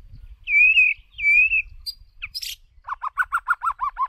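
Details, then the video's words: White-rumped shama singing as a lure bird for song training: two long, clear, slightly wavering whistles, a few sharp high chips, then a fast run of about ten short, mellow, repeated notes. "Chòe lửa Mồi hót cực đỉnh ✦ Luyện giọng chòe lửa"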